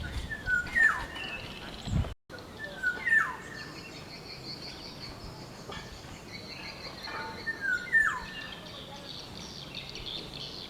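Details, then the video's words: Black-naped oriole (Oriolus chinensis) in the wild gives short, liquid fluted whistles with slurred notes, repeated every few seconds over steady hiss and a faint high drone. "Kicauan burung kepudang kuduk hitam"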